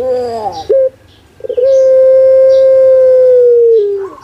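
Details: Caged puter pelung dove from Java, Indonesia, cooing: a wavering, descending opening phrase and a short note, a pause, then a long drawn-out steady coo lasting over two seconds that sags at the end.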